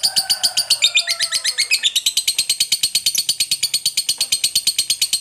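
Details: Long ngekek from a fighter lovebird, a provoking chatter to draw replies from other lovebirds: a dense, fast, shrill rattle that speeds up and brightens after the first seconds, over faint lower tones.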